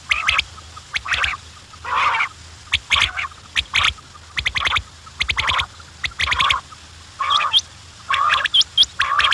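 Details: Several quails giving rough, buzzy chattering bursts about seventy times a minute in uneven rhythm, with thin high clicks and notes scattered between; faint constant low hum behind.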